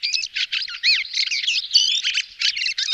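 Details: A fieldfare gives a fast, squeaky chatter of high, slurred and rasping notes, tumbling on almost without pause, with no other sounds.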